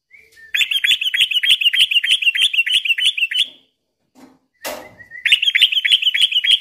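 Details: Sooty-headed bulbul giving its long rolling trill, used to lure and stimulate other bulbuls; an extended rapid buzzy rattle, a pause with a brief thump, then the fast trill starting again.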